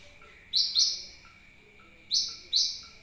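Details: A sunbird's lure call meant to attract birds: two pairs of sharp, piercing, descending chips separated by a short pause, over a faint steady high tone.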